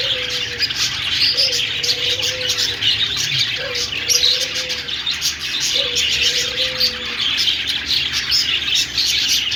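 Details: Chirping budgies keep up a shrill, scratchy, nonstop warble; underneath, a soft low coo with a short upward lift repeats about four times at two-second intervals.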